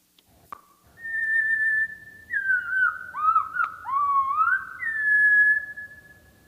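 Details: Brown creeper (Certhia americana) song slowed to quarter speed and two octaves lower: long, clear whistled notes that hold steady, then dip and swoop upward, over a faint low hum.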